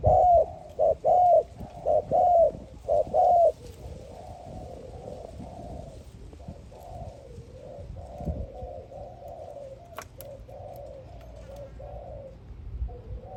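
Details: Dove giving loud, low, rounded coos in a quick series for the first few seconds. Softer, muffled cooing then continues steadily, with a faint click near the tenth second.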